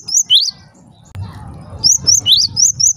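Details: High, clipped chirps from a Java sparrow, a sound claimed to make others of its kind noisy: two notes at the start, a stretch of low rustling with a click, then a fresh string of rising tweets.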